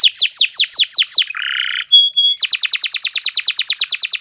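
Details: Canary singing a long training song: loud descending sweeps repeated rapidly, a rough buzzing note, two pure high whistles, then a faster run of sharp downslurred chirps.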